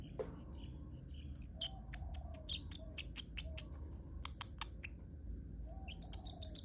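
A parrotlet gives rapid, thin, high chirps and clicks in quick bursts, with a few short squeaky notes, over a low indoor hum.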